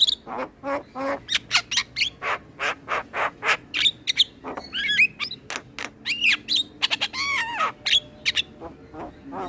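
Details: Full song of a male Asian pied starling, used to teach other starlings: steady rapid harsh chatter mixed with twisting, wavering whistles and descending slurred notes.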